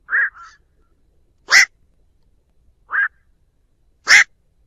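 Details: Calling its flock, a black-crowned night heron utters single short raspy quok notes at uneven gaps of over a second, alternating softer and harsher calls; a lure sound with a clean background.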